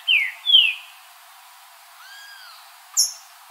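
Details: Green-winged saltator singing in nature, opening with two loud rising slurred whistles, then a soft faint arching whistle and a single sharp high chip note.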